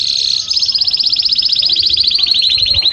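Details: Excited canary singing in the mating season to stimulate breeding: a steady high tone giving way to a long, rapid rolling trill of tiny repeated notes, pitch easing gradually downward throughout.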